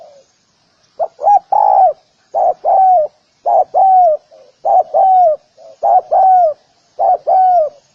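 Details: Spotted dove calling in a steady series of about six phrases. Each phrase is a short low coo, a quick hooked note, then a long drawn-out coo that sags at the end. Background is quiet.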